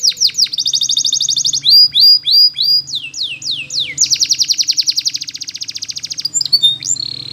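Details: Training song from a canary. Quick trills alternate with swooping notes, then a long, bright, buzzy roll of rapid pulses runs for about two seconds before short twittering notes.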